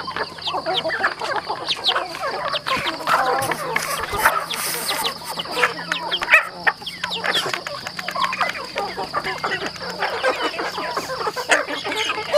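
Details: Chickens on a rural home farm: a dense chorus of short, high, downward-sliding peeps overlapping almost continuously, with a steady high electrical whine and low background hum.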